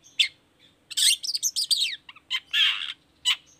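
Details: Long-tailed shrike singing as a lure to draw an answer from other shrikes: a sharp chirp, then a fast burst of descending whistled notes, a harsh rasping note, and a final sharp chirp.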